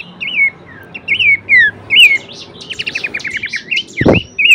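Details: Horsfield's babbler song material for training songbirds: repeated whistled notes that rise, then fall, with a quick run of sharp ticking notes and a brief loud knock toward the end.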